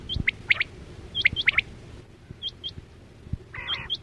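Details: Quail calling as a hunting lure for net trapping: two bursts of clipped bright chirps in the first half, then a quieter stretch with faint high hooked notes and a brief buzzy rasp.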